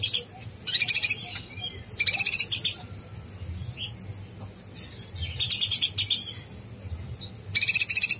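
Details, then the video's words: Konin blorok singing in bold, chatty form, used as master song to stir other konin birds: dense high buzzy trilled bursts repeated about every 1.5 seconds, with brief thin notes between. "konin blorok gacor bikin konin bahan emosi"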